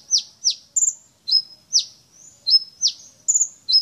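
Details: Brown-throated sunbird, a champion songster showing its repertoire of learned phrases: high, sharply falling chips mixed with rapid stuttered whistles and flat piping notes, about three notes per second, with no other sounds.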